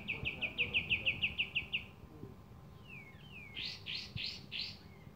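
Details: Javan kingfisher, called kapas tembak, calling vigorously: a fast series of about ten sharp chirps, then gliding whistled notes and four loud burry chirps, with a soft background hum.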